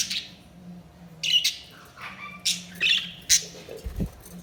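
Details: Budgerigar calls: short, scattered squawky chirps and sharp high notes in uneven bursts, with quiet gaps between them and a soft low thump near the end.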